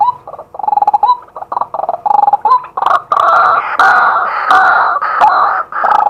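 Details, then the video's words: Male white-breasted waterhen calling by day, recorded live with a set-up camera: dense, loud, croaking notes run together almost without pause, rising into a harsher, fuller outpouring in the second half. "เสียงนกกวัก ตัวผู้ ต่อกลางวัน"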